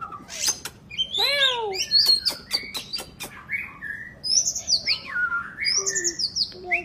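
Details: Kacer, the oriental magpie-robin, in busy 'gacor' song: a rich falling multi-note phrase, a volley of sharp clicks, then high wavering warbles, rising whistles and scattered chirps.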